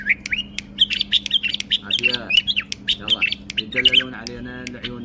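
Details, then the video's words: Bulbul singing with wing display: bright, quick whistled and chirping notes in a lively run while a man's voice talks softly over parts of it, with a low hum behind. "بلبل يغرد تغريد برواز جناح"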